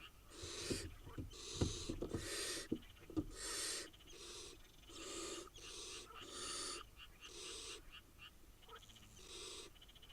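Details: Wild barn owl chicks in Israel, eight nestlings together, give overlapping breathy rasps. Over ten seconds many short hissing bursts come close together, mixed with clicks and thumps from the nest.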